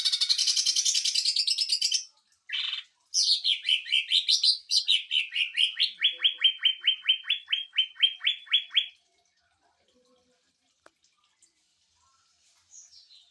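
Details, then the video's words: Greater green leafbird giving a 'tembakan mesin jahit' (sewing-machine burst) song, meant for training and provoking other birds: a dense buzzy trill, then a long run of quick, even, downslurred notes, roughly four per second, fading out. "CUCAK IJO TEMBAKAN MESIN JAHIT UNTUK MASTERAN DAN PANCING EMOSI"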